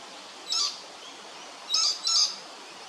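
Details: Lewin's honeyeater at Hervey Bay, Queensland, gives three short, sharp, high bursts of rapid chattering notes, one alone and then two close together, over faint outdoor hiss.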